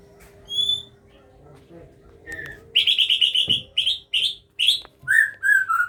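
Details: Captive-bred Aceh White-rumped Shama feeding its young; after a lone high whistle, a rapid string of about ten raspy, buzzy chirps pours out, followed by separate high calls and three lower downslurred notes, with a faint background hum.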